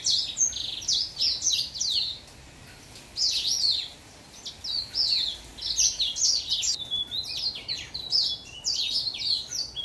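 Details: Song of a young orange house finch: lively warbled phrases of rapid, twisting high notes, several phrases over about ten seconds separated by brief silences.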